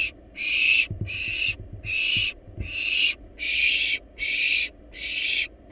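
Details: Wild barn owl nestlings in a monitored nest box, feeding on a large rabbit, giving harsh broadband hissing screeches about half a second long, repeated roughly every 0.8 seconds, with faint low thumps beneath.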